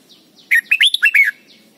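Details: Red-whiskered bulbul from Thailand, song used for teaching young birds to sing: one quick phrase of five or six loud, clear, bubbling whistled notes, rising and falling, over a quiet background.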